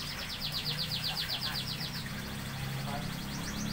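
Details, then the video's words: Lovebirds kept as a matched pair, shown for signs they have bonded, at a composite workshop in Bandung, Indonesia: rapid series of short, sharp chirps, about four per second, in bursts, over a steady background hum. "TANDA-TANDA Burung Lovebird Sudah Berjodoh"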